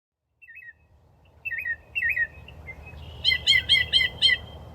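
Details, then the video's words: Northern Mockingbird singing varied, slurred whistled phrases, then a rapid series of four bright repeated notes, over a low background rumble. "The state bird of Florida has been the same since 1927, the northern mockingbird, the bird you're hearing right now."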